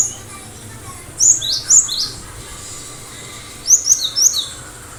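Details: Cinereous tit in full song, a kept songbird delivering two tight clusters of thin, piercing, down-slurred whistles, each cluster three to four notes long, separated by a short pause against low background hiss.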